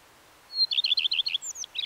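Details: Common redstart song phrase: a high thin opening whistle, then about seven fast, evenly spaced warbled notes, finishing with two thin descending squeaks and a final twittering note.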